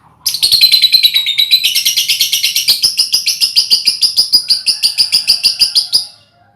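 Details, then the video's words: A colony of hand-reared lovebirds, used as a lure to trigger the long ngekek chatter: a fast run of shrill, buzzy notes, about three a second, sustained for nearly six seconds before stopping abruptly. "Suara Lovebird untulan koloni cocok buat pancingan ngekek"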